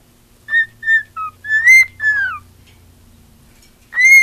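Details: Female cockatiel kept as a pet, singing: short, clean whistled notes repeated, a lower note, then longer whistles sliding up and down, a pause, and another rising whistle at the end.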